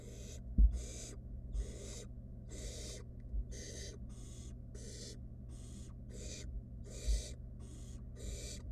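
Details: Wild barn owl nestling with food dropped off by its mother, producing a rapid run of about thirteen short, noisy hisses, fairly regular, over a quiet low background with occasional bumps.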